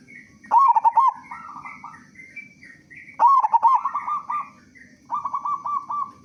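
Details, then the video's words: A local zebra dove in frequent, loud song, meant to lure other doves to sing. Three bursts of rapid, bubbling staccato coos, each followed by a gentler rolling trill, with quiet gaps between. "Perkutut Lokal Gacor Suara Besar Pancingan Burung Perkutut Agar Cepat Bunyi"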